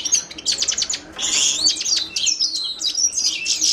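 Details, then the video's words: Himalayan goldfinch song opening with clicking chirps, then a buzzy, tinkling twitter of high notes that flows without a break. "تغريد حسون الهيمالايا chant de chardonneret hymalaya"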